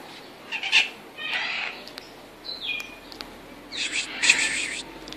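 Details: Home-raised red-shouldered macaw giving harsh, raspy screeches in short broad bursts, about four spread over five seconds, with a brief thinner note between them and a quiet, noisy background.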